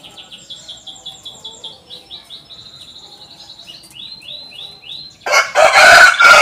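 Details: Canary song played to prompt young canaries to sing: quiet, steady trills of repeated chirps, about three a second, then a sudden loud burst of broad noise at the end.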